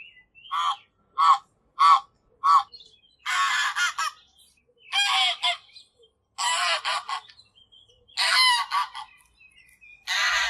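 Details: Real goose recorded in 8D audio gives a run of four short, evenly spaced clipped honks, then longer raspy, brassy honks repeated about every one and a half seconds.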